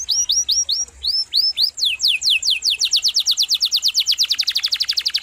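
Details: Canary song opening with evenly spaced hooked rising whistles, then shifting into a rapid series of downward-sweeping notes that speed up into a fast, sharp trill.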